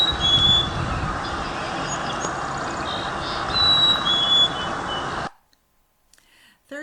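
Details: Black-capped Chickadee, a winter bird common at Toronto feeders, giving its mating-season hey-sweetie call, not its winter call: clear, high, whistled notes over a steady hiss that cuts off into silence.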